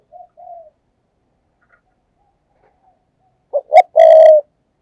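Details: Spotted dove kept as a perched decoy to lure doves, giving a fast urging coo: faint low cooing at first, then after a pause two short notes and a long steady coo in a quiet setting.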